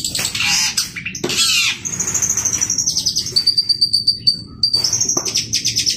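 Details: Long-tailed shrike singing loudly and energetically: harsh scratchy bursts, then a long run of thin high whistled notes, some sustained and stepping downward, with rapid chattering trills.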